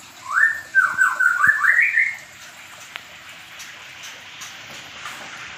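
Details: White-rumped shama of the Medan type, paired in a mini aviary, delivering a fast run of rising whistled notes, about six in two seconds, then quiet hiss with a faint tap.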